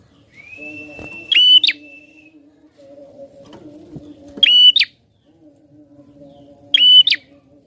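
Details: Persistent prinia song to stir other birds into singing: a thin rising whistle leads into the first of three loud, buzzy, flicked bursts repeated about every 2.8 seconds, over faint thuds and electrical hum.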